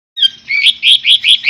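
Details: Songbird used as a master recording for training competition birds, with harsh 'tembakan kasar' phrases: a short falling whistle, then a run of five quick, buzzy, rising notes, loud and clear.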